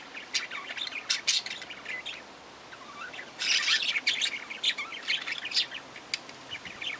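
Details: Chattering budgerigar: scratchy, high warbling chirps in busy clusters, a short lull, then a louder, denser run of twittering and squeaks to the end.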